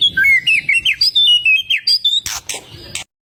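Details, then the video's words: White-rumped shama in loud provoking song meant to rouse rival birds: a rapid run of clear whistled notes sliding between mid and high pitch, followed by harsher buzzy bursts near the end. "LANGSUNG NYAUT MURAI BATU GACOR || PANCINGAN SUARA MURAI BATU YANG BIKIN LAWAN EMOSI"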